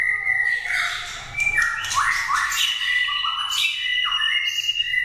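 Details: Prize-winning caged competition white-rumped shama, stimulated to sing, delivers varied whistled phrases with sustained clear notes, abrupt pitch jumps and rising slurs, interspersed with harsher squeaky bursts, filling the whole stretch without pause.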